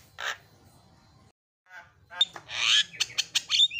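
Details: Javan myna recording meant to stimulate a silent singing bird: a harsh, scratchy squawk, a pause, then a dense burst of rasping and chattering notes with sharp clicks near the end.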